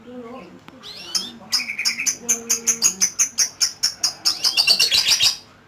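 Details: Lovebird in full ngekek song: a long unbroken burst of shrill, rapid chattering notes pulsing evenly about four times a second, sliding upward near the end, loud and high over a faint low background hum.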